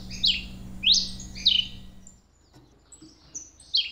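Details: Red Pileated Finch (tico-tico-rei vermelho), a Brazilian songbird, giving high, sharp, slurred chirps, about four in four seconds at an uneven pace, over a faint low hum.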